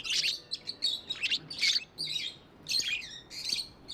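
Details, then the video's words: Pet budgerigars trading rapid, shrill chirps and squeaky warbles in clipped bursts, loud and close. "Budgies amazing love & chirping sounds"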